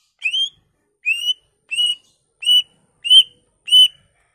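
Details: Greater green leafbird whistling as a lure to set other leafbirds singing: six identical clear, slightly rising whistled notes, each about a quarter second long, repeated roughly every 0.7 seconds in a steady series, background silent.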